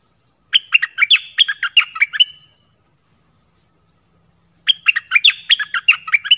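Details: Song of a nok dok taeng, 'phleng boen' style, used as a model for young birds to learn: two bursts of fast, jumbled chirping notes, each about two seconds long, with a quiet gap between them.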